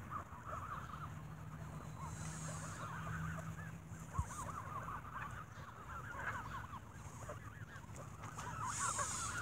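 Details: Squabbling geese at an evening bread feeding, with rapid short honks tumbling over one another, a steady low hum in the background and a single sharp click midway.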